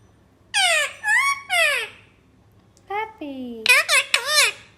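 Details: Talking parrot giving high, squeaky, harmonic speech-like phrases: three bursts with falling and wavering tones, a pause, then a rapid cluster of sharper rising-and-falling squawky syllables.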